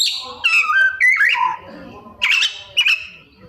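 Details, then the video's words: Singing kacer (Oriental magpie-robin) pouring out imitations: a sequence of slurred whistles stepping down in pitch, a squeaky rising note, then scratchy bursts and a short level whistle. "Cara Jitu Membuat Suara Kacer Gacor Rajin Bongkar Isian - 99% Burung Kacer Isian Mewah"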